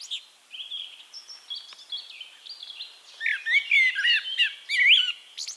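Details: Eurasian blackbird singing in Castricum, the Netherlands, amid a chorus of higher twittering birds; its phrase of mellow whistled notes swoops up and down before a shrill rising end note.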